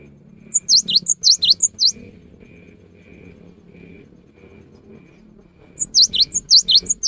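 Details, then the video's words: Cinereous tit singing actively, used as a lure in the rainy season: two bursts of sharp, high, rapidly repeated two-note phrases, each note sliding down, separated by a few seconds of quiet with a faint steady high hum. "GELATIK BATU GACOR | PANCINGAN AMPUH SAAT MUSIM HUJAN"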